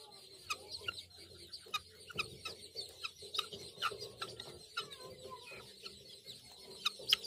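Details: Young helmeted guineafowl keets, hatched by a chicken along with one chick, let out to eat grass for the first time, give a busy stream of short, high, sharp peeps and chirps.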